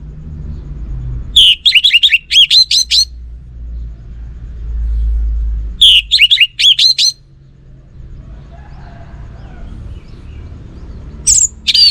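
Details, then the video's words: Song of a kept orange-headed thrush in 'gacor' style, singing without pause: three bursts of rapid whistled, twisting notes, each lasting about one and a half seconds and separated by several seconds of quiet, with a low background rumble. "Burung ANIS MERAH Lansung Nyaut Gacor Tanpa Henti"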